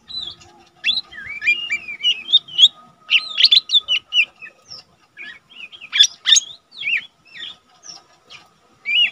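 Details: Cage-kept untrained lesser green leafbird, singing eagerly for use as a tutor recording: bright, varied song of quick chirps, short rising whistles and a few loud sharp notes, in clusters separated by brief pauses.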